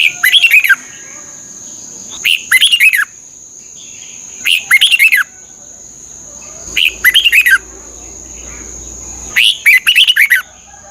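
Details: Red-whiskered bulbul song from Thailand, played to train caged birds and excite them: short bright warbled phrases of rapid whistled notes, repeated about every two to two and a half seconds, with a steady high electronic tone throughout.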